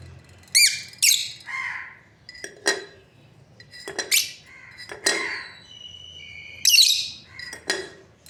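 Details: Breeding pair of lovebirds chirping in quick, shrill, scratchy notes and sweeping squeaks, irregularly spaced with brief pauses, one clear whistled tone in between.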